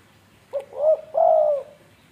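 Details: Tame spotted dove from Indonesia cooing once: a brief clipped note, then a rising hoarse coo and a longer level coo that fades away.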